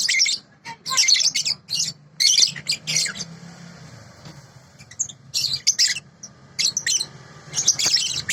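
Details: Sooty-headed bulbul song recorded for training birds: quick clusters of sharp, high chirps, a quieter stretch in the middle, then renewed chattering bursts, with a low hum throughout.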